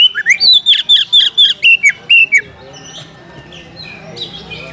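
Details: Challenging Oriental magpie-robin seeking a fighting opponent, giving about ten loud, sharp whistled notes in quick steady succession, each slurring downward, before the clip falls to near quiet with only soft distant chirps.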